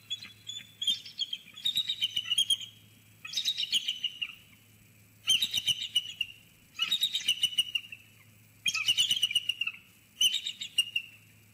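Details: Two eagles vocalizing together from a snag tree in Sauces Canyon, February 17, 2020: six loud bursts of rapid, high, piping chatter, each lasting about a second and separated by short pauses, over a low background hum.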